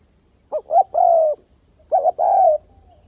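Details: Spotted dove call used to lure wild doves into traps: two cooing phrases, each a short double note followed by a longer mellow, slightly falling coo, separated by about a second of quiet, with a faint steady high hum.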